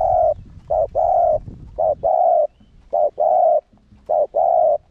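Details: Lure spotted dove giving its driving bow-coo to goad rival doves into cooing. It repeats a short coo followed by a longer, level, buzzy coo, about once every second, with faint low rumble behind.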